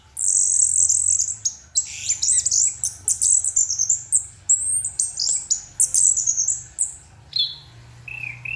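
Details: Orange-headed thrush singing at night in an open, full-voiced masteran style: a rapid, unbroken run of high, varied chirps and twittering phrases that sweep and trill, then briefly lower, rising whistled notes near the end.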